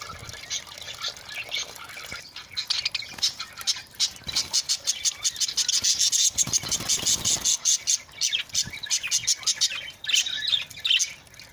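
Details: Budgerigars chatter with rapid, high, scratchy chirps and warbles while being given water to bathe in hot summer weather, a man speaking softly beneath.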